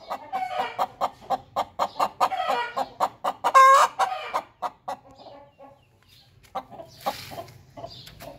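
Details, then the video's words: Hen cackling after laying an egg, a fast steady series of clucks about three per second building to a loud squawk, then fading to scattered quieter clucks with a brief noise near the end. "Hen Making Noise Aftar Laying An Egg"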